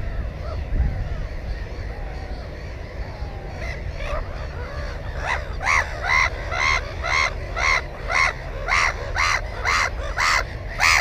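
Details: Black-headed gull at its nest holding one egg and one chick, recorded 15 May 2016 with a GoPro camera: harsh, arched calls begin after a few seconds, then repeat rapidly about twice per second, with low wind rumble underneath.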